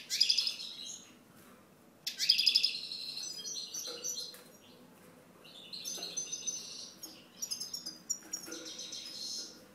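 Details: Goldfinch song of bright, fast twittering and buzzy trills in high bursts, with softer liquid chatter between phrases and a faint background hum.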